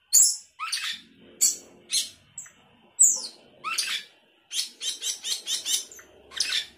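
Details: Sooty-headed bulbul in 'gacor isian' style delivers a varied string of sharp, high downslurred chips and short rasping notes, speeding into a quick volley of clipped notes near the end.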